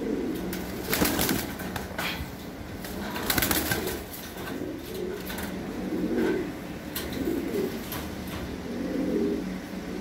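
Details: Domestic fancy pigeons in breeding pairs on a pigeon farm: low burbling coos recurring every second or two, mixed with sharp clicks and wing-flapping sounds.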